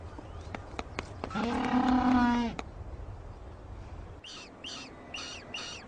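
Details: Incubating male penguins in the cold: a sustained, low, trumpeting call with many harmonics lasts about a second, preceded by sharp clicks and followed by four brief, higher chirping notes in quick succession.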